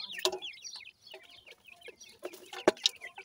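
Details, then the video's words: Pheasant chicks at new food, calling in clear, high wavering chirps that rise and fall, a few sharp clicks from pecking, and short quiet gaps between bursts. "baby pheasant is very happy with the new food today,teter baby"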